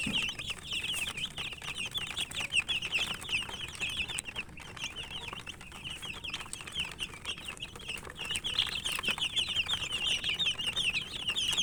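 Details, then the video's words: Many chicken chicks chirping while eating, constant high thin peeps overlapping throughout, with a brief quieter lull before the chorus swells again. "Murgi chicks Chirping sounds and eating"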